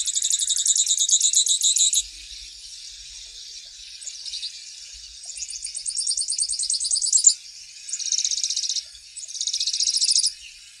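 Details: Grassland yellow finch song: bursts of rapid high buzzy trills, each lasting one to two seconds, separated by short pauses, with several separate phrases across the recording.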